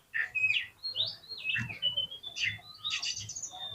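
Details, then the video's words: Oriental magpie-robin song used as a lure to rouse a lazy bird into fighting and tail-spreading: a continuous run of varied, sliding whistled notes, high and clear, with brief chirps and a faint low hum beneath. "COCOK UNTUK PANCINGAN KACER YANG MALAS BUKA EKOR SEKALI DENGAR AUTO FIGHTER"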